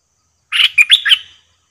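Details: Decoy bulbul at a trapping cage delivering a brief liquid phrase: a buzzy opening note followed by three sharp, bubbling whistled notes, rising then dropping, over about one second in a quiet setting.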